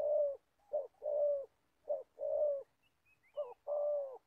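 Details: Old decoy spotted dove used for trapping in Gia Lai, Vietnam: alternating short clipped coos and long drawn low coos, mellow and hollow, with a brief faint twitter from another bird midway.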